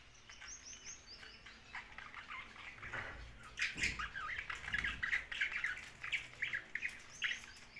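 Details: Young budgerigar giving a busy run of rapid, scratchy chattering chirps that build in the middle and keep going to the end, with some low thumps underneath.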